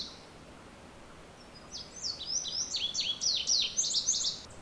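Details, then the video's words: Indigo bunting singing in full song: after a quiet start, a run of high, sharp downslurred notes, many given in pairs, speeds up and grows louder toward the end, over faint steady background hiss. "Indigo bunting in full Song!"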